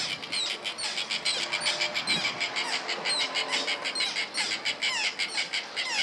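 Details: Dense chorus of White-fronted terns (Sterna striata) in New Zealand, likely around mating: harsh, high, grating calls overlapping rapidly, several per second, as from a busy colony.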